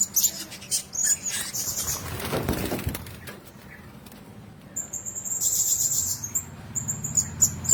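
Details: Blue-crowned hanging parrots housed in one cage give scattered thin, high squeaky chirps, then a quiet stretch with a low rumble, before a rapid high twittering burst returns.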